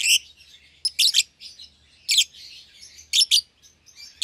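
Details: A caged young pair of lovebirds, a euwing green opaline and a red-eyed albino, chirping: sharp, high broadband chirps in short bursts, some doubled, roughly once a second, with soft chatter between them in a quiet room.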